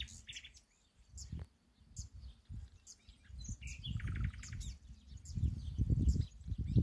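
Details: Singing from an ash tree, a common nightingale gives varied chirps, a rapid rattling trill mid-phrase and high sharp notes, against persistent low-pitched background rumble.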